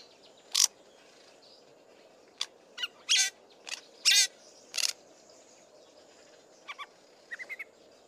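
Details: Fork-tailed drongo, a male, singing loudly: harsh, scratchy broadband bursts scattered over eight seconds, then soft, thin, high mimicked notes of other birds in short clusters near the end, over a steady low background hum.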